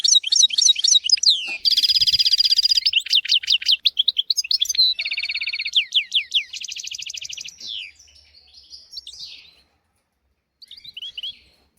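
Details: Goldfinch song meant to tutor young goldfinches and canaries: quick twitters give way to buzzy, rattling trills alternating with rapid clear notes, fading to soft twittering after a short silence near the end.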